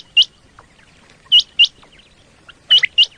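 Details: Common quail call recorded for luring quail during hunting in Pakistan: sharp, hooked whistled notes, given singly and in close pairs about a second apart, over a quiet background.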